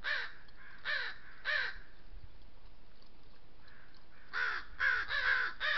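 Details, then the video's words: Harassing a lone coyote at a water trough in Southern Sierra Nevada oak woodland, a group of crows caws its disapproval. Three hoarse caws, a quiet pause, then four more close together. "These crows are laying claim of water trough ownership, and vocalize to the coyote their disapproval."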